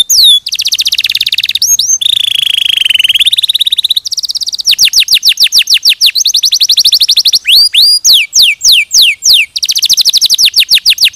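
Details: Canary tutor song with shifting trill tours: a high rapid trill, a low wavering rolling buzz, fast level trills, then slower descending whistled sweeps and another rapid trill.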